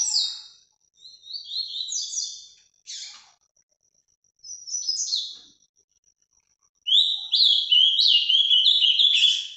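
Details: A breeder's captive ultramarine grosbeak in Brazil sings Paraná-style phrases: short warbled bursts spaced a second or two apart, building to a long, loud, continuous run of quick sliding notes.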